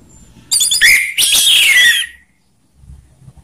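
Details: Orange-headed thrush singing ngeplong, rough and slow song styles used to draw other birds into song: a rapid burst of sharp, high chirps and buzzy warbles lasting about a second and a half, then quiet.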